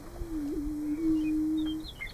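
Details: Greater prairie-chicken booming at a lek (booming ground) in Nebraska in March, part of a mating display: one low, steady hooting moan lasting nearly two seconds with a slight wobble early on, plus faint higher bird notes at the end.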